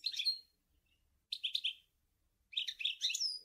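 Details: European goldfinch (Carduelis carduelis) at Sour El Ghozlane sings three quick bursts of bright, tinkling, twittering notes, high and liquid, about a second apart, with nothing else heard.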